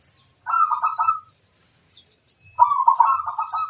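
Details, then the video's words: Local zebra dove singing to lure wild birds: two rapid, rolling phrases of clipped coo notes at mid pitch, separated by over a second of near silence. "Suara sang masteran burung perkutut - asli pikat mengundang bunyi"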